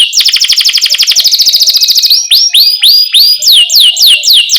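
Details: Lively canary song used to train young canaries still learning to sing: a fast, even trill of high chirps, then a series of rising-and-falling whistled swoops repeated about twice a second, loud and clean.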